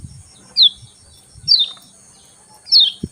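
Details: Lemon-bellied white-eye in morning song, here just three clear high chirps sliding downward, spaced about a second apart, over a faint steady hiss.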